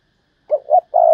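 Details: Single 'thúc bổi' phrase from a decoy spotted dove used to lure wild doves: two soft quick hoots, then a long even low coo.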